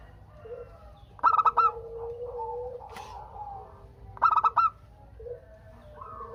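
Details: Zebra dove used as a calling lure so other doves answer: two bright bursts of four fast, stuttering notes three seconds apart, with gentle, lower drawn-out coos from other birds around them.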